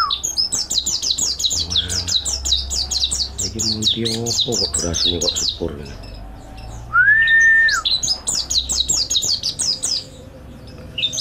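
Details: Mountain white-eye training song: dense, rapid high twittering of falling notes, with low harsh calls in the middle and a single steady whistled tone cutting in briefly before the twitter returns.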